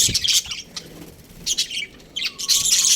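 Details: Breeding pair of budgerigars chirping in short bursts of harsh, high, scratchy notes separated by brief pauses, with a faint low hum beneath.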